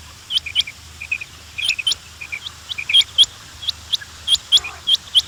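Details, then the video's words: Quails giving short, high chirps with sharp upward hooks, interleaved with softer, lower peeping notes, irregular and about every half second, several callers seeming to overlap over a faint low hum. "The sound of quails بٹیروں کی آواز"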